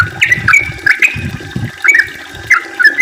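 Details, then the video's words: Yellow-vented bulbul song intended to coax other bulbuls into singing: short, bright gurgling notes given in scattered bursts, over a low muffled rumble in the background. "kicau trucukan gacor ropel panjang ampuh untuk pancingan trucuk biar aktif bunyi ropel dan gacor"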